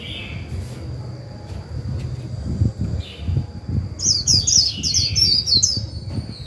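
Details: Decoy white-eye singing the 'líu' style meant to stimulate newly caught birds: after quiet low rumbling and a faint lower warble, a rapid run of high, sharp, downslurred chirps starts near the fourth second, over a continuous thin high hum.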